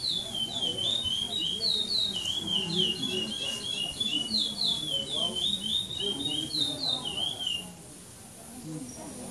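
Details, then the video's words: Brown-plumaged (pardo) chestnut-bellied seed finch, placed second among pardo birds, singing Praia Clássico style without repetition at a 2014 Maranhão tournament stage in São Domingos do Maranhão: clear, high whistled phrases repeated in quick succession for about seven seconds, low voices underneath. "CURIÓ PARDO CHUVA DO BARAXO 2° PARDO SEM REPETIÇÃO"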